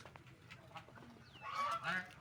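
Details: Ducks eating food and drinking water: quiet rustling and soft splashy noises, then two short, nasal, honking calls with stacked overtones close together near the end.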